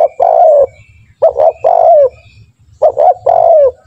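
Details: Spotted dove used as a lure recording to train caged birds to call quickly: loud, mellow cooing phrases, each a short note followed by a longer drawn-out coo that slides slightly downward, three phrases with brief pauses between.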